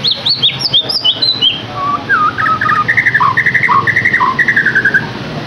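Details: Song of the white-rumped shama, an Indonesian songbird, used to coax a caged bird into singing: high slurred whistles open, then bright repeated two-note whistled phrases follow in a brisk, varied series over a faint low rumble.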